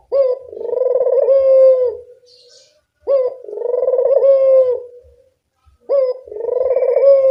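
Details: Barbary dove with three rolling, vibrating coos about three seconds apart, each starting with a quick upward lilt and ending in a steady falling tail; used to encourage lazy doves to vocalise.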